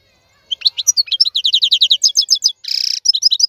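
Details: Wild European goldfinch, praised as the strongest of the 2022 season, delivering a rapid twittering run of bright high notes with a sustained buzzy burst near the end, clean background.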